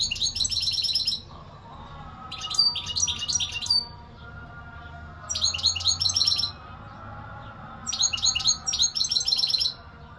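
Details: European goldfinch singing strongly; bright, high twittering phrases about a second long with tinkling trills and quick notes, repeated four times with short silent gaps between.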